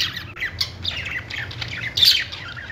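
A budgerigar warbles in a rapid, scratchy stream of chirps and squawks, with a brighter shrill note near the end.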